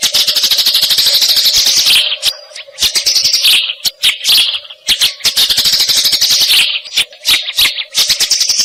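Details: Eurasian tree sparrow recorded to tutor songbirds; a long run of dense high chatter, then scattered single chips and short bursts, resuming into rapid chattering, with a steady low hum.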